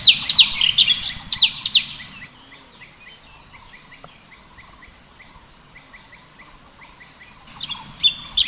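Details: Cucak cungkok (Orange-bellied Leafbird) in 'tembakan' song: a brief loud flurry of high chattering whistles, then a long run of faint, regularly spaced chirps, and a final shrill burst.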